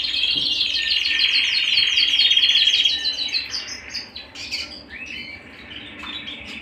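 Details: Canary at home sings a quick series of high repeated notes for about three seconds, then breaks into scattered chirps and short whistled phrases.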